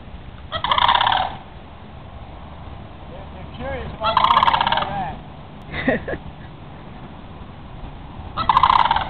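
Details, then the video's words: Sandhill crane pair dancing in Holiday Park, Palm Bay, Florida: four harsh, purring, rattled calls spread over nine seconds, with softer short notes and faint voices between them. "Sand Cranes in Palm Bay, Florida Making Noise & Dancing"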